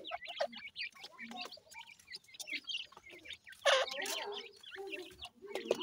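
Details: Grey francolin (dakhni teetar) chicks while feeding: a busy stream of short, high chirps and peeps, with a few lower clucks and a louder burst of mixed calls near the middle.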